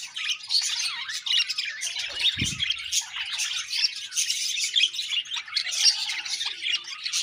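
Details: Continuous chirping from a happy budgerigar colony: busy, high-pitched warbles and rapid squeaky notes layered together, plus one short low bump early on.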